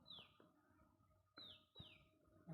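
Asian koel giving a few shrill, quickly falling whistled notes, two of them close together, over a low background rumble.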